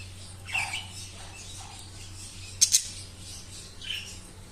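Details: Budgerigar (Melopsittacus undulatus) chicks at a breeding setup give brief, harsh squawks and high scratchy chirps in scattered bursts.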